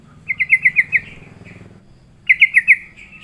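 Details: Sooty-headed bulbul lured into singing: two bursts of quick, clear, evenly pitched notes, five or six in a row, separated by a pause of about a second.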